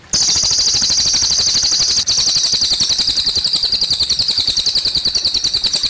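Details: Cililin singing over gently trickling water: a rapid run of high, thin chirping notes, about three to four per second, continuing steadily for several seconds with a brief break near the two-second mark.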